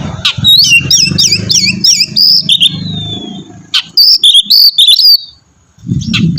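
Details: Caged Oriental magpie-robin singing loudly to prompt another bird to sing: rapid run of repeated whistled up-and-down notes, then sliding clear whistles and sharp chips, with low rumbling background noise.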